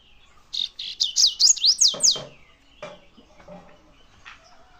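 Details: Double-collared seedeater song: a brisk series of about eight high notes, beginning buzzy and level, then sharply down-slurred and repeated in quick succession, followed by a few soft knocks and faint rustling.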